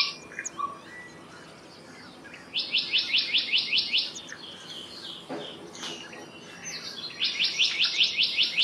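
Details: Black-naped monarch giving two fast phrases of about eight ringing, repeated notes after a quiet start. Faint chirps and a soft background call come from other birds.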